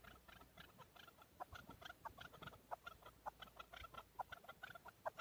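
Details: Male chukar partridge, locally called keklik, in an excited state in Darvoz, Tajikistan, in 2020; rapid chuk notes with several harmonics repeat steadily against a faint low rumble.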